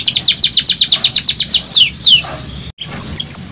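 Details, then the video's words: Canary singing, a stimulating song meant to make other canaries sing: rapid series of short descending whistled notes repeated about three per second, then longer downward slurs and a brief pause before quieter trilling resumes. "PANCINGAN KENARI STRES BUNYI JADI GACOR NO 1 | CANARY SINGING"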